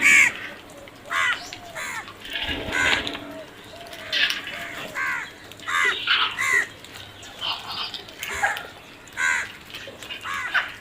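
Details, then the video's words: Several crows cawing repeatedly with hoarse, downward-bending calls about every second, overlapping at times. Faint voices and background noise are also heard. "Crow sounds"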